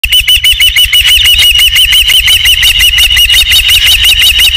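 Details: Osprey at its nest at Dunrovin Ranch, evening of 27 July 2016, around the third fish delivery: fast, high chirping notes repeated about three per second in a steady stream, over a low rumble of wind.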